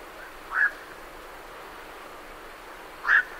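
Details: Two brief, harsh croaks about two and a half seconds apart from night herons leaving a roost, with great reed warblers in the background.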